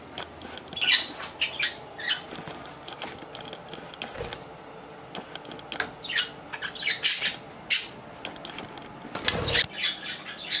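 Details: Pet budgerigar aged three years and five months. It chatters steadily in short scratchy chirps and clicks, with brief rasping notes scattered throughout and a louder broadband burst near the end.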